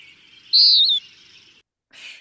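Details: A Western Wood-Pewee gives one high, burry note lasting half a second, slurring down at the end, not a "pee-wee" like its eastern relative; a brief faint hiss follows; finding: Western Wood-Pewee.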